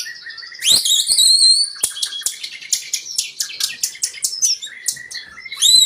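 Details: Singing white-rumped shama, used as a lure so other birds join in; a sharp rising whistle opens a string of high, rapid, scratchy notes and trills, closing with another bright rising whistle.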